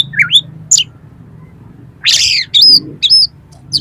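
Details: Oriental magpie-robin, recorded to train competition birds, giving a few sliding whistles, a harsh rasping burst, and clear high whistled notes with pauses between them.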